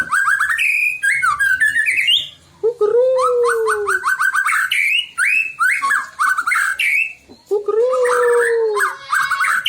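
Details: White-rumped shama delivering a rich, varied song used to stir other shamas to sing: quick rising whistles and trills broken by a longer low slurred whistle, repeated twice.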